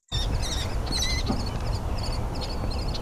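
Northern Flicker chicks beg with a steady stream of high, raspy, buzzy notes, several overlapping, over a low rumble of background noise.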